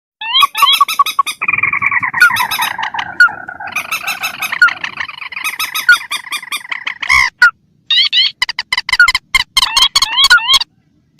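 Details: Lure recording of mandar, also called pelan, a rail of rice fields and swamps, mixed with tikusan crakes: long nasal honking notes slide and wobble mid-pitch, broken by sharp clicks and bursts of rising, chevron-shaped squeals.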